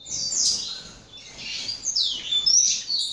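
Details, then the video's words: High, thin twittering from a young captive-bred double-collared seedeater in Brazil: swept buzzy notes in two or three quick bursts with a short quieter gap. "FILHOTE DE COLEIRO"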